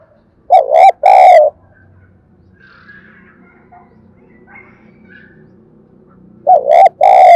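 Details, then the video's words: Decoy spotted dove cooing to spur other doves to sing: two strong, wobbling coo notes early, then a quiet stretch with soft distant bird calls, and another pair of coos at the end. "Tiếng chim cu gáy kích bổi nhanh nổi, cu gáy mồi luyện bổi hót theo"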